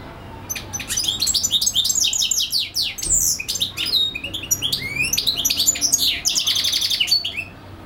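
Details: European goldfinch singing for hours without pause, delivering a rapid, continuous stream of high tinkling twitters, sharp downslurred notes and buzzy trilled phrases, with a quiet room hum beneath.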